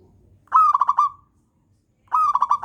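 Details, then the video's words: Two rapid rolling coo phrases from a local wild zebra dove, each starting with a bright note then stuttering into five quick even pulses, separated by a short silence; a lure recording meant to trigger other doves to sing. "masternya perkutut lokal alam pemancing bunyi"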